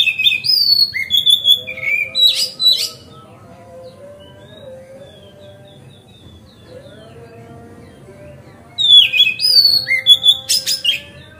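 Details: Relaxed, steady magpie-robin lure song to make others open their tails: bursts of varied whistles and rasping notes separated by a quiet stretch, with a soft, low, wavering tone in between.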